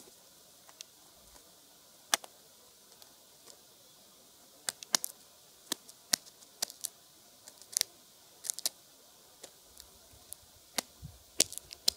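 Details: Sharp, irregular dry clicks and taps, like snipping or small objects knocking, over a quiet hiss, with no animal voice.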